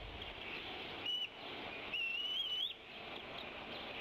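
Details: A female bald eagle calls off the Decorah nest in late April 2016 while the male feeds the eaglets. A brief high note is followed by a longer, wavering, upward-climbing whistle over constant hiss.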